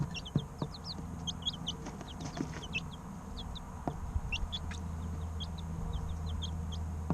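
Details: Three-week-old chicks chirping: many high, short downward-sweeping peeps in loose scattered bursts over a steady low hum.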